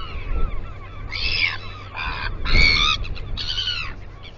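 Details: Northern royal albatross at the breeding colony at Taiaroa Head near Dunedin, New Zealand, picked up by a live nest camera: a few loud, harsh, braying harmonic calls in short bursts over a low wind rumble.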